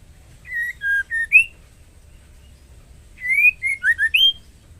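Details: Breeding-condition female white-rumped shama calls the male with two whistled phrases about two seconds apart, each of four to six sweet notes that slide down then end rising; soft low hum behind.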